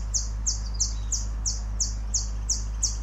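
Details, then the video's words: Temminck's sunbird calling in Sabah, Malaysia, in June 2023: sharp, high, thin chirps falling slightly in pitch, repeated steadily about three times a second, ten notes in all, over a low steady hum. "Temmincks sunbird call sound"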